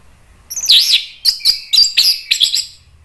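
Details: Orange-headed thrush, caged song bird, singing an agitated song used to provoke other birds: a looping whistled phrase then four sharp, bright chirping notes in quick succession.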